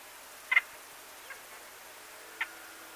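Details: White-fronted Bee-eaters, a group of 12-15 birds with some perched by nest holes, give brief, mid-pitched chirped calls: a double note, a faint one, then another about two seconds later, over a quiet hiss.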